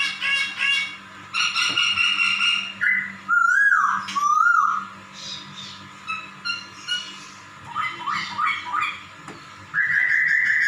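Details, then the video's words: Cat-meow imitation by a laughingthrush: harsh stacked notes at first, then sliding whistled phrases that dip and rise, scattered short chirps, and a long steady whistle at the end. "POKSAY SUARA KUCING MEONG2"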